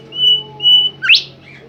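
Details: Bimoli bird singing: two clear, sustained high whistles followed by a rapid rising slur and a softer trailing note.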